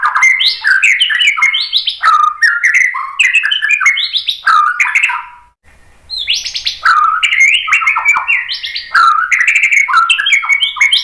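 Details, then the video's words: Rich, continuous song of a white-rumped shama: fast tumbling runs of varied whistled and chattering notes with a brief pause midway. Played as a lure to make the bird answer and sing. "KICAUAN MURAI BATU bikin BUNYI NYAUT JADI GACOR BONGKAR ISIAN"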